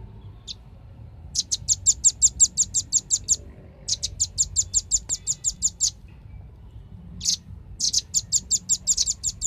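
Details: Velvet-fronted nuthatch recording used as a lure call, giving fast bursts of high, sharp chips, about ten notes per run, in three rapid trills over low background hum.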